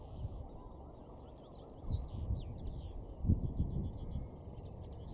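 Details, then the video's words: Linnet song from Cavenham Heath heathland in Suffolk, UK, early April evening: quick twittering notes and brief trills jumbled together, then a rapid stuttering series of clicks, set against loud low-pitched wind buffeting and distant traffic rumble. "good Linnet singing"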